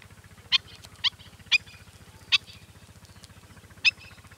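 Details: Black-winged stilt: five sharp, harsh yelping notes spaced irregularly about half a second to a second apart, over a steady low pulsing engine-like hum.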